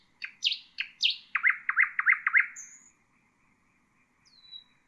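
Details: Song of the common nightingale for tutoring caged songbirds: a few sharp downward-sweeping notes, then six rising chirps repeated quickly and fading, with a thin downslurred whistle afterward.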